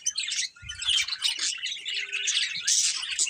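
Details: Pet budgerigars chirping indoors: dense, scratchy warbling chatter with rapid twittering notes, continuous for several seconds with a brief dip near the start.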